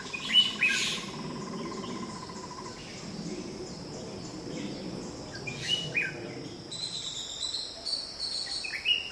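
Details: Red-whiskered bulbul (Pycnonotus jocosus) in a garden giving short, bright chirping notes in scattered bursts, with a steady insect drone and a low hum underneath.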